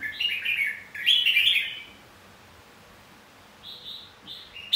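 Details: Red-whiskered bulbul training song played to provoke fighting song and get wild-caught birds singing: bright, chattering warbled phrases in two loud bursts, then shorter fluty notes after a pause, over a quiet hum.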